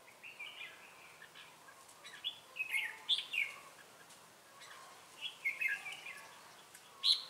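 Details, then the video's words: Red-whiskered bulbul of the Ché type, used as a decoy in bird trapping in Bình Phước on 25 June 2018 and singing to provoke rivals; short bright warbled whistle phrases come in scattered bursts with pauses, over faint background noise. "Bẫy chào mào Ché cười"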